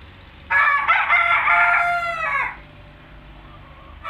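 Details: A rooster (chicken) gives one loud, harsh crow lasting about two seconds, strained and harmonic-rich, rising then falling away; the start of another crow cuts in at the end.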